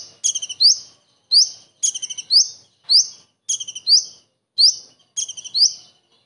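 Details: Common iora delivering mimicked kingfisher phrases, full imitation with characteristic bursts. Short rattling stutters each end in a bright rising whistle, the pairs repeating roughly every second in a clean, quiet recording.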